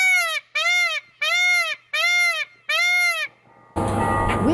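Five loud, nasal, arching wails from a peafowl, each about half a second, come in quick succession. A burst of harsh noise follows.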